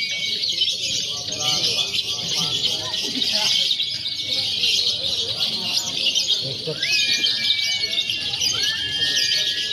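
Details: Pre-contest training simulation of lovebirds, konslet, fighter and paud combined; busy high chattering with clusters of lower chirps early and upward-sweeping whistles later.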